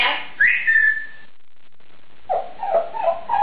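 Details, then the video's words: Female Congo African grey parrot, a 2011 winner of a best talking parrot competition, showing off her vocabulary: a rising whistle that levels off, a pause, then several short wavering vocal syllables in a small room. "Best talking parrot in the world! Clover knows 350+ words"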